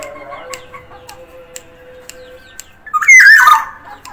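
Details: Actively singing Sumbawa black-naped oriole: after quiet regular clicks and a steady faint tone, a loud, coarse, squawking phrase with bending pitch closes the recording.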